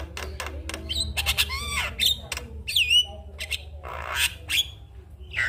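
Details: Javan myna morning song, played to rouse other mynas: harsh squawks, downward-sweeping nasal notes and clicks, with a rasping hiss near the end and faint low hum throughout.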